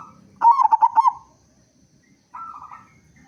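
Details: Local zebra dove singing loudly to lure other doves to sing: one loud phrase of five rapid bubbling notes, then silence and a softer smooth coo.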